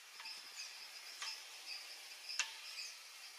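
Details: Rusty-margined flycatcher hunting in French Guiana, giving thin, high, drawn-out whistled notes, repeated steadily over a few seconds, with faint clicks and a soft background hiss.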